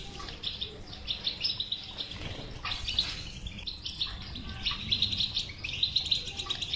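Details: European goldfinch batbata chatter, meant to coax a silent goldfinch into song: rapid twittering with sparkling high trills, most intense near the end, over soft low-pitched noise.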